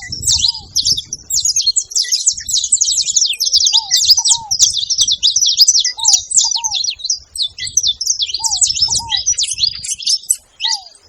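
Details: Saffron finches at a feeding spot keep up a dense, high-pitched chirping chorus, broken by brief gaps, with paired short downslurred whistles recurring every couple of seconds at a lower pitch.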